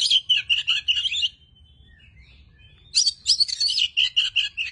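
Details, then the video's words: Oriental magpie-robin, a tame bird, singing quick warbled phrases of whistles and chatter, falling silent save for a few soft thin notes, then launching into another energetic burst of rapidly repeated, rich notes. "Kelebihan Kacer Jinak"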